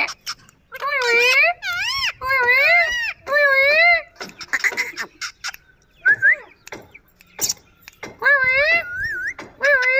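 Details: Talking green ring-necked parakeet, called Kashmiri tota: loud, harmonic, warbling speech-like phrases in quick bursts, each rising and falling, with short gaps, a few squeaky whistled notes and clicks between them.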